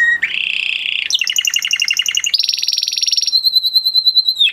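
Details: Singing male canary in 'mast' excitement: a buzzy low roll, a rapid pulsed trill, a very fast high rattle, then a long sustained high whistle that dips at the end.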